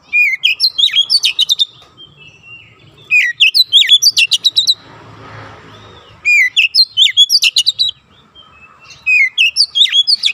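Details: Oriental magpie-robin song used as training for untrained birds to sing rapid dense bursts: three loud clusters of varied whistles and sharp chips, each about 1.5 seconds long, separated by pauses, with a soft rustling noise in the middle.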